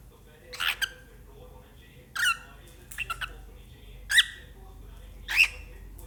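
A cockatiel gives harsh, scratchy squawks in short bursts, spaced unevenly about a second apart.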